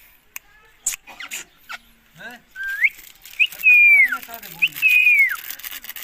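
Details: Pet Indian green ringneck parakeet talking to its owner, uttering a few short speech-like sounds, then rising whistles and two long, loud, slurred whistled notes that fall at the end.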